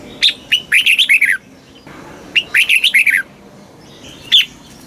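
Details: Red-whiskered bulbul singing a southern master-style song meant to rouse caged birds and train young birds: two rich warbled phrases of rising and falling whistles about two seconds apart, then a lone sharp note.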